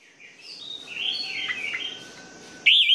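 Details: Orange-headed thrush song meant to coax sluggish birds into singing: a soft, blurred warbling phrase, then a sudden loud bright whistled note at the end.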